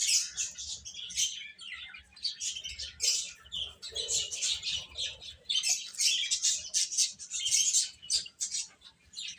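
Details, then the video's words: Baby chickens eating and playing, a dense chorus of shrill high peeps overlapping almost nonstop, with bursts of louder chirping and brief quieter gaps, plus soft low pecking and shuffling noises underneath. "Cute Chicks Eating and Playing | Baby Hen Chirping Sounds"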